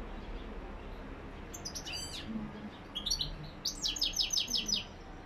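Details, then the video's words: Goldfinch singing in the lak lak song style: scattered high twittering notes, then a fast run of about six sharp, evenly spaced chirps near the end, over a steady low hum. "Saka ötümü lak lak"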